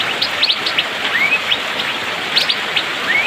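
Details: Rainy-season song of an Asian fairy-bluebird, delivered fast and dense. Crisp high chirps are interspersed with two rising whistled slurs, all over a continuous background hiss of rain.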